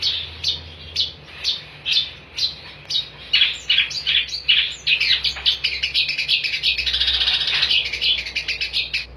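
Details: Cendet, the long-tailed shrike, singing 'gacor' style for training caged songbirds: a series of sharp chips about every half second, then a dense, continuous, scratchy, buzzy warble.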